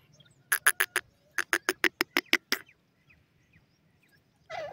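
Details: Francolin pair, Dakhni and Iranian teetar: a fast run of sharp, clipped notes, briefly pausing then resuming at about four per second, with a low hum beneath and a short harsh note at the end.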